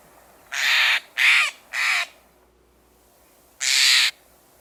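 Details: Steller's jay giving one of its two very common calls: harsh, raspy, broadband notes, three in quick succession about half a second apart, then a pause and a fourth, against a quiet background.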